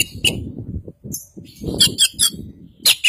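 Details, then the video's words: East Javan white-breasted Oriental magpie-robin, known as Kacer Poci, singing full isian: short bright chirps and a few downslurred whistled notes among steady low rumbling noise. "Burung Kacer Poci Jawa Timur Full Isian"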